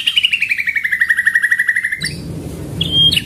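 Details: White-rumped shama pastol-style training song, rolling 'shot' rhythm: a two-second rapid trill of repeated notes slowly falling in pitch, then a single sharp whistle over a low hum.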